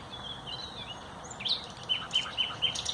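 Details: Common nightingale song recorded 30 April 2021 near dense undergrowth: a thin sustained whistle followed by sharp clicking bursts and short emphatic notes, with faint hiss behind.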